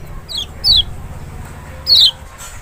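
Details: Lemon-bellied white-eye (Lombok or Sumbawa "Kecial", Zosterops chloris maxi) used as a lure call, giving three thin, high whistled notes sliding downward, two close together and one after a pause, over a low background hum.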